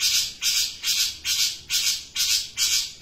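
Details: Long-tailed shrike calling actively: loud, harsh, rasping squawks repeated steadily, roughly two to three per second, each a broad noisy burst.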